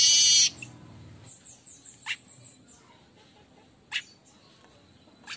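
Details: Streaked weaver singing energetically in the morning, opening with a short harsh buzz, then soft high twittering and two sharp, clicking chips about two seconds apart.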